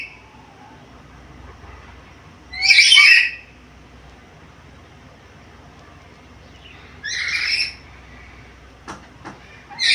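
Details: Black-capped lory, described as highly vocal, able to talk, and making varied sounds. Two harsh, noisy squawk bursts, about four seconds apart, then a third starts at the end. Quiet background between calls, with a few faint clicks.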